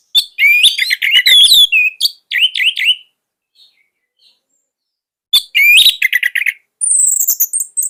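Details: Caged orange-headed thrush singing loud varied phrases of rich whistles, rapid trills and mimicked notes in bursts, a pause near the middle, then a high thin whistled series at the end.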